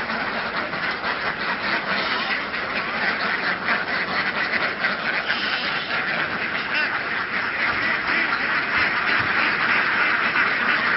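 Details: Flock of laying ducks in Vietnam, herded across fields and onto a boat to move to new grounds; a dense, continuous chorus of many overlapping raspy quacks fills the whole stretch, steady in loudness, with no clear gaps between calls.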